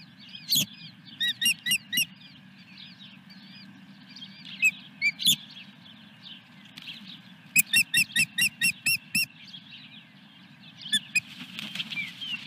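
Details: Osprey calling at the nest at Dunrovin Ranch, 17 May 2021, mid-morning, as a fish is brought in. Thin, high whistled chirps come in bursts of three to eight, with pauses between, over a constant low electrical hum.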